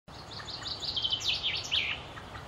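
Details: Common chaffinch singing in May 2016 at the Akulovsky water utility in Korolyov, Russia: a quick series of high chirped notes that falls in pitch over about two seconds, over a low background rumble.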